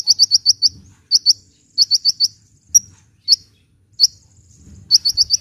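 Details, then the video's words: Vigorous hummingbird song for luring and prompting reluctant birds: crisp, very high chips in quick groups of four or five, with single spaced notes in between and soft low rumble. "SUARA BURUNG KOLIBRI GACOR"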